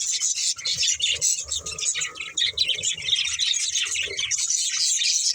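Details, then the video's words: Several pet budgerigars playing and eating, chattering in a dense, continuous stream of high, buzzy chirps and warbles with short squeaky notes, and faint low knocks underneath. "Cute Budgies Chirping Sounds"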